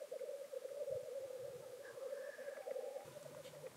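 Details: Displaying black grouse at a traditional lek near Llandegla Forest and World's End in North Wales, late February 2019. Steady, dense bubbling cooing throughout, with one faint hissing sneeze near the middle.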